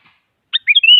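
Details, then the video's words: Sooty-headed bulbul singing to provoke a rival so a silent bird sings; one short phrase, a sharp buzzy note then slurred whistled notes ending in a rising, sustained whistle, with a faint chirp beforehand and no other sounds. "Suara Burung Kutilang Mengajak Lawan Agar Bunyi Bikin Kutilang Diam Semangat Berbunyi"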